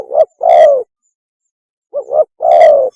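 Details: Spotted dove mating call, used as a lure: a pair of phrases, each a quick two-part note followed by a sustained warm coo, with a pause of over a second between them.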